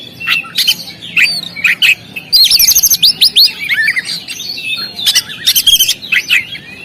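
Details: Oriental magpie-robin singing on a contest stand: scattered sharp chirps give way to a fast, dense burst of high whistled notes, followed by more varied loud chirps and short slurs.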